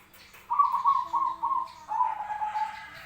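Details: Zebra dove fighting call recorded to train birds: one long bubbling trilled coo that breaks into several quick pulses and then runs on into a second lower, fading trill, with a steady low hum behind.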